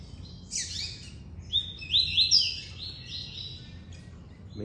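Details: A captive Double-collared Seedeater sings a quick, bright phrase of high sweeping whistles and chirps, ending in a short 'ti-tchel' flourish, its older, shorter song, over faint background hum.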